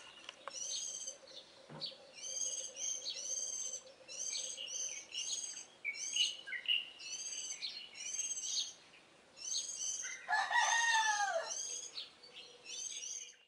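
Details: Warbling white-eye song recorded in early morning in mid-April: thin, high twittering phrases, roughly two a second, with a brief louder, lower descending call near the end and a steady low hum.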